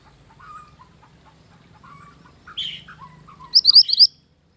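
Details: Mantenan gunung bird song used to lure and train birds: soft low whistles, then a louder chirp and a short string of falling notes, ending in a fast series of sharp high rising chips.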